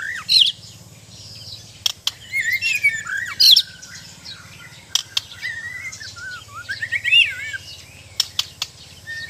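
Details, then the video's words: White-rumped shama (murai batu) of the Sabah/Borneo type, a trained kept bird, giving twisting whistled phrases and chattery notes with sharp clicks between them over a low background hum. "Indahnya suara dan gaya burung murai batu"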